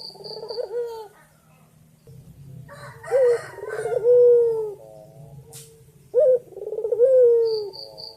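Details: Male white dove calling a female with lively coos, a short note, rattling trill and long falling tone, given twice after a gap, over a steady low hum and a brief click, high whistles at the edges.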